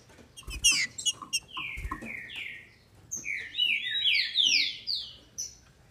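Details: Captive female green-winged saltator in Brazil, calling to excite males: sharp chips and clicks, then a string of downward-sliding whistles growing into a rapid overlapping cascade before ending on a high note.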